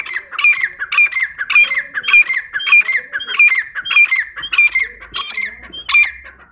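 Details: Grey francolin, known locally as dakhni teetar, gives a loud, steady run of shrill, ringing calls, about ten phrases each a little over half a second apart, every one harsh and high with a falling slur, recorded close with little background.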